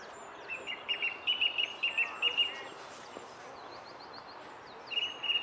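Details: Song thrush singing at the Henry Moore sculpture, filmed again two days after an earlier recording: a bright whistled phrase repeated four times in quick succession, then a run of thin, high repeated notes and a fresh loud phrase, over steady outdoor hiss.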